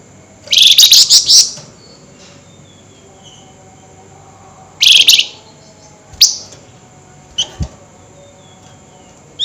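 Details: Agitated night calling of a flameback, known locally as flamboyan: a long, harsh rattling chatter of about a second, then a shorter burst, followed by a few sharp single notes and clicks.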